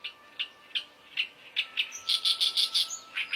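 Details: Oriental reed warbler (Acrocephalus orientalis) singing in its natural wild habitat: harsh, grating notes, first spaced about every half second, then speeding into a rapid, scratchy chatter of repeated phrases.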